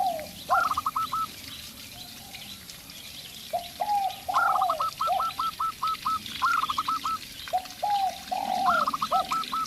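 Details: Local zebra dove in a calling duel with a spotted dove decoy: repeated phrases of high, quickly stuttered coos, several in a row, interleaved with deeper, smoother coos over a background hiss.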